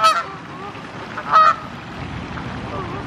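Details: Wild Canada Goose giving two loud, brassy honks about a second and a half apart, with quiet background murmur between them.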